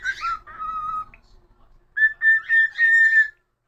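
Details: Caged pet cockatiel whistling a tune: a long steady falling-then-level note, a short gap, then a brighter held whistle broken into swelling pulses.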